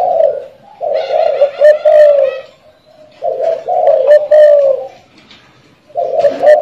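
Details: Spotted dove from a customer in Saigon (Ho Chi Minh City), cooing a lot: three low, hoarse cooing phrases, each about a second or more long, separated by short pauses, in a small indoor room.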